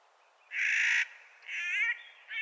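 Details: Clark's nutcracker calling in spring: two harsh, grating, drawn-out calls, each about half a second long, separated by a short pause.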